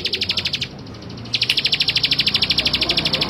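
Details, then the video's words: Male bar-winged prinia delivering quick, buzzy repeated notes. The series pauses for about half a second, then continues at around three notes per second. "Suara Ciblek Sawah Jantan"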